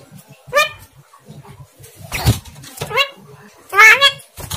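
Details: Javan myna imitating human speech, its talking not clear: four short harmonic, voice-like bursts spread over under five seconds, with a low hum and faint murmuring behind.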